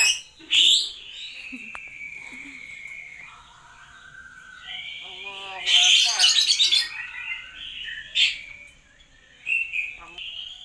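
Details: Hill myna copying human words and coughs: an opening squawk, then a long steady whistle, a loud raspy voice-like phrase in the middle, and short whistles and squeaks toward the end.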